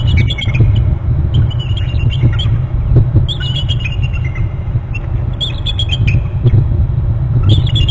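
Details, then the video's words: Two bald eagles calling in their nest territory on Hornby Island, thin high piping notes in short bursts, partly buried under loud, steady low rumbling noise. "two eagles calling"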